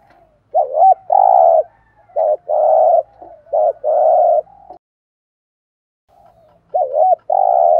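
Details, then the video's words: Decoy spotted dove cooing to provoke wild doves: each two-part phrase has a quick wavering double note followed by a long, steady, mid-pitched coo. Several phrases come in close succession, then a pause before another one. "chim cu moi thuc gu gay goi. chim cu gáy kích bổi"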